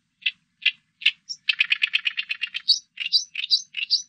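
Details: Loud, grating Oriental reed warbler phrase: three separate harsh notes, a rapid rattling series of about a dozen churrs, then alternating low rasps and high squeaky upslurs repeated several times.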